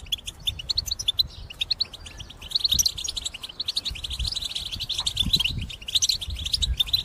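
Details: Caged European goldfinch singing vigorously, kept for trapping. A continuous, busy twitter of high tinkling and buzzy notes runs throughout, over a low rumbling background noise.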